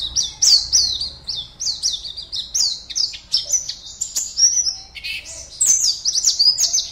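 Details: Oriental white-eye kept as a contest bird in Pontianak, West Kalimantan, delivering an unbroken, high-pitched twittering song of quick chirps and downslurred whistles, with one brief lower dip midway.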